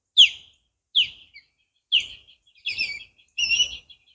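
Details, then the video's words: Osprey perched in a tree on a walk through Castaway Island Preserve, giving a series of five loud, piercing whistled chirps, the first three clean and descending, the last two longer and more ragged, against near silence. "Call of The Osprey King"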